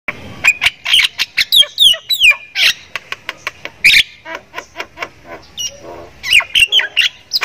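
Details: Javan myna of Thai stock, noted for laughing like a person: a rapid, varied medley of harsh squawks, clicks and clear whistled notes, delivered in quick bursts with brief pauses.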